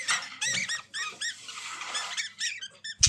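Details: Continuous budgerigar warbling: repeated arched, squeaky chirps in quick succession blending into a dense scratchy babble, ending with a sharp louder burst.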